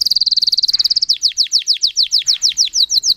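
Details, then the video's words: Singer canary in song: a very rapid high trill of even notes, then a slower series of sharp descending whistled notes repeated about five times a second. "Red trees Canary Singing"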